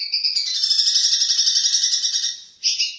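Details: Captive long-tailed shrike with varied mimicked song: a sustained, rapidly fluttering high trill lasting over two seconds, fading, then a short bright burst.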